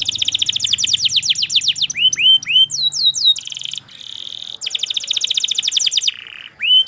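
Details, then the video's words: Canary song of rapid trilled sweeps followed by several rising whistled notes, a sustained buzzy tone, another fast trill and a short low whistle, with faint low background hum. "KENARI Gacor PANJANG Cuit Cuit EMOSI"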